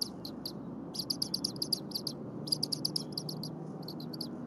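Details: Bald eagle eaglet at the Berry College nest at 8:00 AM on 23 January 2022, chirping incessantly while its mother preps and defurs frozen leftover prey, already fed within the hour. Thin, high chirps come in quick runs over steady low rumbling noise.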